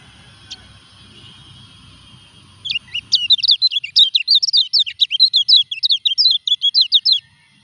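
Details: Moulting common iora, replacing its feathers, which can weaken a kept bird's performance on the pole. A low background hum and a faint note come first, then a rapid burst of clipped, high twittering notes runs for more than four seconds.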